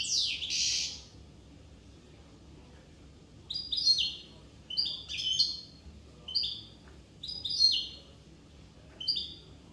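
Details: Corsican European goldfinch delivering a loud opening burst, then a pause and a string of short liquid twittering phrases, each a quick up-and-down chirp, roughly every second.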